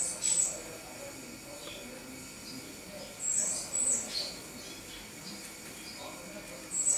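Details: Great tit (Parus major), 29 October 2012: very high, thin squeaky calls come in three bursts spaced about three seconds apart, each a quick cluster of sharp notes, over a constant low hum and faint background rumble.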